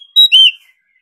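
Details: Oriental magpie-robin, wild-caught and stirred to competition singing: a quick pair of loud ringing whistles, the second slightly lower and drawn out, trailing off into a faint note.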